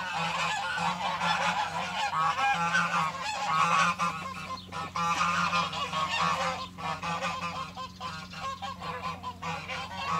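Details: A group of farm geese sharing space with chickens in spring, honking almost without pause: dense, harsh, overlapping nasal calls across the whole clip, over a constant low hum.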